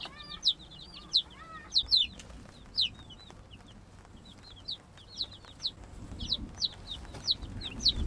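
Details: Laying-hen chicks settle into a freshly finished coop made from free wooden pallets. Their sharp, high peeps arch and fall in a busy string, several chicks overlapping, with quiet low background rumble.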